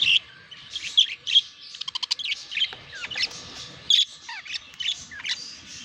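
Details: Mating budgies chatter: rapid warbling chirps with a quick train of ticking clicks, scattered squeaks, and falling whistled notes.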